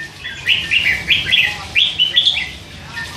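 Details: Hand-fed young red-whiskered bulbul, three months old, chattering all day with song phrases slipping in; bright warbled notes in quick bursts, several short phrases over three seconds.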